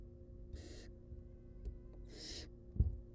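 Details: Two long, harsh hissing snores from wild barn owl chicks being fed in a nest box, followed by a sharp knock near the end, over low hum.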